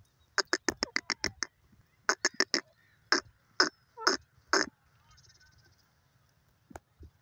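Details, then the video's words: Grey francolin (desi teetar) calling with a quick run of harsh clucking pulses that slows into several spaced, louder notes, then fades to quiet with a faint high hiss. "dasi teeter ke hiran kun boli,teetar bird sounds"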